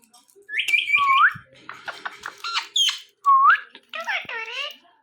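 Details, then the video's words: Indian ringneck parrot talking: a mix of rising whistled slurs, rapid stuttering notes and short harsh speech-like syllables in bursts, loud and close, with faint music in the background. "Ringneck Parrots Talking"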